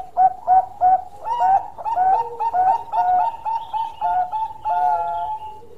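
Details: Zebra dove, called perkutut Bangkok, delivering a long cooing song: soft hollow coos repeated steadily, some with a quick upward flick, the phrase running on without break for several seconds.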